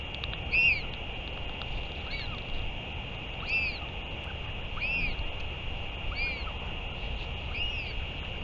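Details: Repeated brief, arching squeals from a northern royal albatross at a return and feeding on 31 May 2023, roughly one per second, set against constant high-pitched hum and low rumble.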